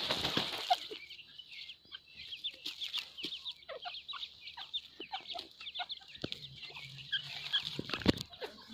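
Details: Grey francolin giving quick, chattering runs of short squeaky notes, several per second, mixed with low clucks and a few sharp knocks.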